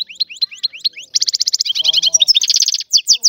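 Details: Free-living European goldfinch of the Algerian type singing a fast twittering song: clipped high chirps, then dense buzzy trill-like runs of rapid repeated notes, with sweeping whistled upslurs near the end; a faint lower warbled strand shows briefly.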